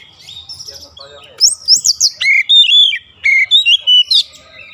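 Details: Kacer, or oriental magpie-robin, in daily song practice toward a long rolling delivery: soft, scratchy warbling gives way to a rapid string of loud, pure whistles, some rising, some falling, delivered in quick succession.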